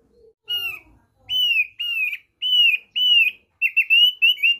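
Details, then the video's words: Thick-billed white-eye, lure for making birds sing: clear, loud arching whistles repeated roughly every half second, ending in a quicker, rippling series of bright high notes; otherwise quiet. "PANCINGAN AMPUH BURUNG OPIYOR PARUH TEBAL"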